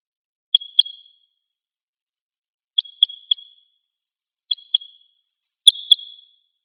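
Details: A red crossbill, found in a pine wood behind a school on Hegura Island, Japan, and coming to drink near an observation hide, gives sharp, high 'kip' notes in bursts of two or three, a couple of seconds apart.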